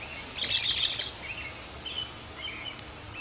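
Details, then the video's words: Backyard nest of baby robins in June: one short, harsh burst of rapid high chirps, then a few faint, thin chirps over quiet outdoor noise. "Backyard Robin babies"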